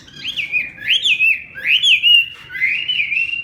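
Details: Bird singing in the fanned-tail style, performing a full song: clear warbled whistles that swoop up and down in linked phrases, loud and close, with almost no background noise.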